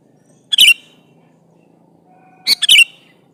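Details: Sooty-headed bulbul in full song calling an opponent; two loud chirpy whistled phrases about two seconds apart, the second made of three quick notes.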